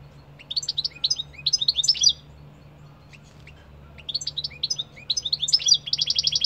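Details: Two bouts of goldfinch song split by a pause of about two seconds, each a quick tinkling twitter of high notes, the second ending in a run of evenly repeated buzzy notes; low hum behind.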